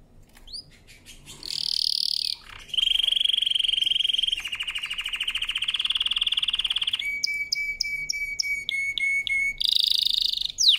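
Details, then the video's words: Canary's powerful song for training, long and varied: buzzy trills, smooth steady rolls of rapid pulses, a fast series of clipped notes over a held tone, then a final burst of trilling. "CANARY SINGING POWERFUL SONG | CANARY SINGING FOR TRAINING"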